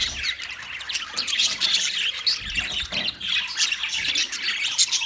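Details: Many wild budgerigars chirping at once: a thick, unbroken stream of high warbling, chirruping and scratchy notes that barely pauses across the whole stretch.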